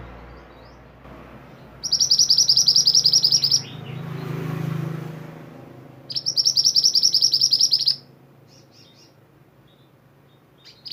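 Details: Mantenan (pied bushchat) singing energetically as a master recording for songbird training: two dense bursts of rapid, high buzzy chirps, each about two seconds long, separated by a quiet pause with a low hum.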